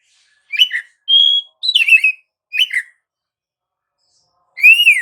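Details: Oriental magpie-robin singing in 'gacor ngerol' style, a lure meant to provoke other magpie-robins into song: short buzzy warbled bursts, a pure steady whistle, more slurred chirps, a long silence, then a rising-falling whistle.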